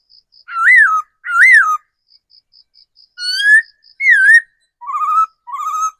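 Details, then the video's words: Decoy laughingthrush, caught wild as an adult, singing paired arched whistles, then rising and wavering notes and two shorter upslurs, separated by gaps filled with soft, regular high ticks. "Tiếng chim khứu mồi già rừng"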